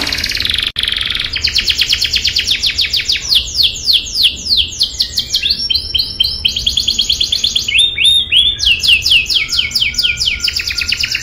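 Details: Caged canary singing constantly in a rolling style, kept as a tutor for young canaries: a loud, continuous run of fast, high, sweeping trills that shifts pace and pitch between phrases without pause.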